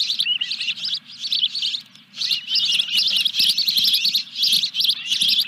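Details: Excited Osprey calling at the nest during a fish delivery on 14 July 2021 at Dunrovin Ranch: nearly continuous, rapid, high shrill chirping, briefly dipping near two seconds, over a low steady hum.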